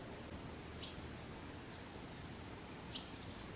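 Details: Grey wagtail song recorded handheld on a Canon SX740HS, 22 May 2023, Kotoura, Tottori Prefecture, Japan: a brisk trill of six piercing, high ticking notes, followed by a faint lower chirp, against steady outdoor background noise.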